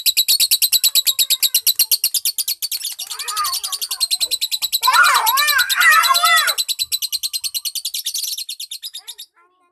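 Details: Lovebird trained toward ngekek singing: a sustained, fast, high-pitched chatter of evenly repeated buzzy pulses lasting about nine seconds, overlaid midway by a lower, wavering, meow-like call for several seconds before the chatter stops abruptly.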